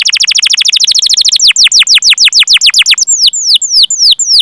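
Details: Canary singing a long song for luring other canaries: very fast high chirps at first, gradually slowing into loud, clearly separated whistles that each drop steeply in pitch.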